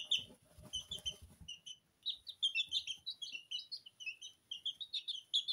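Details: Porcelain and Lemon Sablepoot bantam chicks, two weeks old, indoors bathing in feed. Low rustling and scratching open the sequence, followed by lively, continuous high-pitched cheeping from several chicks.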